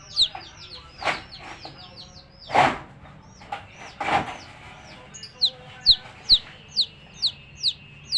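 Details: Hen with baby chicks: wing flaps and rustling bursts early on, then loud, clear, high peeps falling in pitch, repeated about twice a second.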